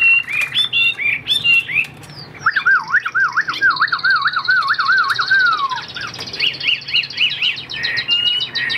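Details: Chinese hwamei song: sharp opening notes, then a long series of looping whistled slurs that dip and rise, followed by quicker rising trills near the end.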